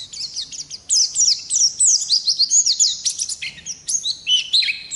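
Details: Rolling, long-duration song from a wild-type Oriental white-eye: thin, high, rapidly sliding whistles and chirps packed tightly together, some notes swooping downward, with a soft low hum beneath.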